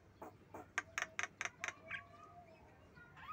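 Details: A Javan myna (Acridotheres javanicus) gives about seven rapid, harsh, grating notes, then slides into a few clear whistled tones and ends on a quick upward whistle.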